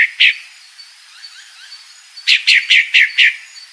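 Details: Female Pale-breasted thrush calling, giving one or two sharp notes, then a pause with faint distant bird notes, then a quick run of five loud descending chips.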